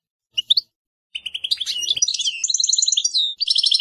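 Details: European goldfinch opening with a short twittered call, then breaking into a fast, continuous tinkling song of liquid chirps and rapid trills that runs to the end without pause.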